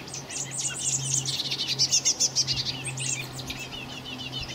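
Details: Blackbird young, 26 May 2018, producing a continuous stream of high, thin squeaking chirps that peaks in a rapid rhythmic run of loud notes before easing off; steady low hum behind.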